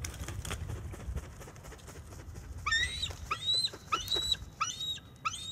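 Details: Female bald eagle defending her nest and territory alone against an intruding male floater, November, nest cam: a burst of high, harmonic, rapidly repeated chirping notes after a noisy start, over steady low wind rumble.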